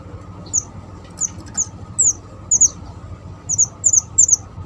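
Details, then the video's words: High-pitched chirps of a small, energetic Java sparrow, meant for luring birds into traps: thin, squeaky downslurred notes, often doubled, at irregular intervals that come closer together toward the end, over a low constant hum. "burung mantenan kecil / jawa gacor cocok buat pancingan dan mikat"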